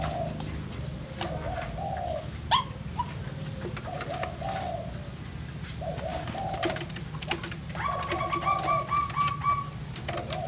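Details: Wild-caught, still very skittish zebra dove kept as a pet cooing: low, soft rolling coos repeated in short bursts, with a steady low hum and occasional clicks and knocks in the room.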